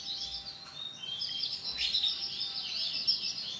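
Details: Bright green female canary uttering dense high chirping and twittering, sustained and overlapping throughout, over a constant low hiss.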